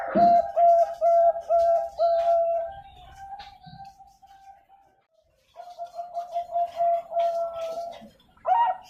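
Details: Bangkok ring zebra dove from an Indonesian bird farm in Pasuruan, East Java, recorded in 2021. It gives a string of steady, mellow coos, then a pause of a second or two before another rhythmic burst of repeated notes.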